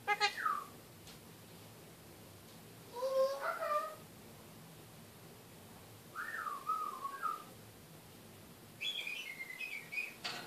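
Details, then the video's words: A pet kakariki talks in a cage with varied whistled phrases: a falling slide, a rising then wavering phrase, a looping warble and a high trilling run, each separated by short pauses. "Kakariki talking"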